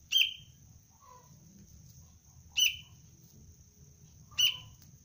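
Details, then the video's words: Young sooty-headed bulbul (kutilang cengkram) in training as a luring decoy gives three short sharp chirps, near two seconds apart. Between them come faint softer notes, over a low rumble and steady high hum. "Anak kutilang pelatihan dasar untuk pikat Cengkram"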